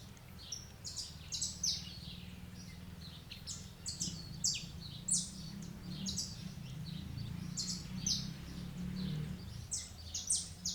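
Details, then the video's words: Wild saffron finch singing from a branch: quick, high, sharp chirped notes in short irregular bursts, a few per second, over a steady low rumbling background noise. "CANTO NA NATUREZA DO CANÁRIO DA TERRA"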